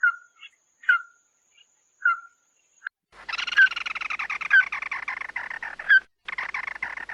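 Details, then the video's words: Loud flock call of the red-eyed bird, a lure sound: single sharp downslurred whistles spaced about a second apart, then a sustained buzzy pulsing chatter with whistled notes set into it. "Tiếng Chim Mắt Đỏ Gọi Bầy – Kêu To, Dụ Chim Cực Mạnh!"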